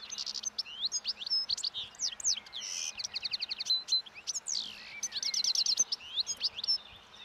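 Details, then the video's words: European goldfinch song in the wild, birds feeding on last year's thistle seeds at a roadside as spring approaches and breeding song begins; a loud, continuous stream of rapid liquid twitters, buzzy trills and upslurred whistles. "European Goldfinch Song and Feeding in Wild / Doğada Saka Kuşu Beslenmesi ve Ötüşü"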